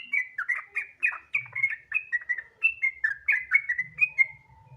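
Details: Relaxed, nonstop 'gacor ropel' song of a sooty-headed bulbul, meant to prompt other bulbuls to sing: quick chain of bubbly whistled phrases, each note dipping or rising. A faint low hum comes and goes.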